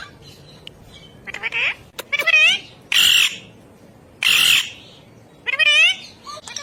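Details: A ring-necked parakeet talks in harsh, speech-like bursts. Several loud, noisy squawk-like syllables come about once a second, mixed with wavering voiced tones.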